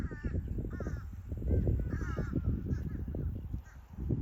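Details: In Collier County, southwest Florida, a Limpkin gives loud, harsh, wailing cries in quick succession, several within four seconds, over heavy low rumbling wind noise.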